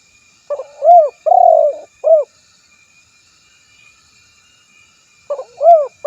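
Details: Spotted dove calling a rival, recorded for luring other doves: a soft low phrase of short rising coos, one long trembling coo and a clipped final coo, then a pause before the phrase starts again.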